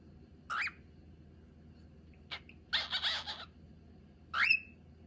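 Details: Pet cockatiel chattering and whistling: short rising whistled notes open and close the passage, with a scratchy chattering burst in between, all over a steady low hum.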